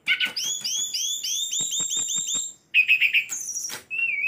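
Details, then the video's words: A captive sulingan gunung, tame and rich in song variations, delivers a fast, regular string of upslurred whistled notes, then buzzy chirps and a high whistle. "Sulingan Gunung / Tledekan jinak isian banyak"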